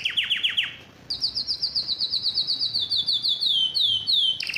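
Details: Excited male canary wanting to mate, singing: a run of fast descending high notes, a brief pause, then a long rapid trill of repeated high chirps slowing into sweeping downslurred notes.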